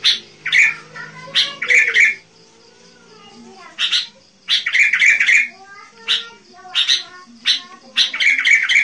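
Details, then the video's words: Sooty-headed bulbul in 'gacor' song, used to attract wild kutilang: short bursts of loud, bright chirped phrases separated by quiet gaps of about one to two seconds, with faint lower tonal sounds in the background. "SUARA burunh KUTILANG GACOR. cocok buat pikat kutilang liar"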